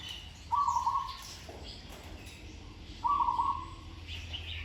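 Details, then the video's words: Zebra dove in training, singing two rolling, trilled coos near the same pitch, each lasting under a second, spaced about two and a half seconds apart, with faint background chirps from other birds. "นกเขาชวาฝึกต่อ เสียงเพราะๆ เดินกลอนดีๆ"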